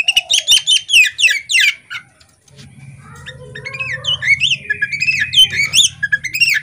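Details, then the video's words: Female Oriental magpie-robin in a cage, fanning its tail: opening run of fast buzzy notes, a short pause, then sweet whistles and sliding phrases over a steady low hum. "Kacer betina ngobra buka ekor"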